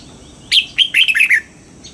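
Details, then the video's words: Single bright phrase of the red-whiskered bulbul's trained dawn song in double-note style: a rapid series of rich whistled notes, slightly rising then tumbling down, over quiet surroundings. "Luyện giọng cho chào mào hót sáng, ép chào mào hót âm kép già rừng hay tuyệt!"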